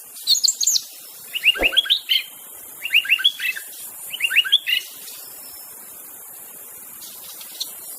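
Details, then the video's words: Wild white-rumped shama, song used to prompt other shamas to sing: three short phrases of quick rising whistled notes at roughly one-and-a-half-second intervals after a high opening, then near silence with faint hiss. "kicauan MURAI BATU di alam bebas Tanpa Isian||cocok untuk pancingan murai batu macet"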